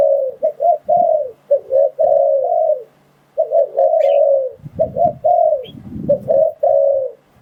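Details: Lure recording of a spotted dove for catching wild doves: warm, low coos in rapid pairs and longer held notes, a pause midway, with low rumbling handling noise under the later phrases.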